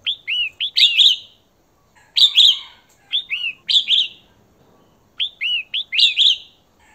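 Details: Female red-whiskered bulbul calling to stimulate a male: three phrases, each of two or three quick arched whistled notes running into a louder harsh, scratchy burst, spaced about two and a half seconds apart.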